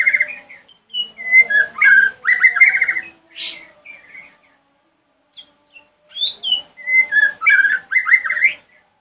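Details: Provocative morning song of a White-rumped shama aimed at getting other shamas to answer: two bursts of rich whistled and warbled phrases with buzzy rapid trills and one sharp high note, separated by a roughly two-second silence.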